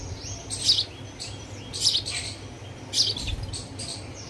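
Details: Hungry sparrow chick calling for food: three loud, shrill chirps about a second apart, with softer chirps trailing after them and a low rumble beneath.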